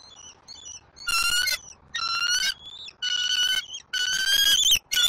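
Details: Bald eagle eaglet at its nest in Southwest Florida on 5 February 2024, mantling and biting at a fish delivered by its father. Loud ringing, harmonic whistled notes in half-second bursts, about five in quick succession, after softer faint chips.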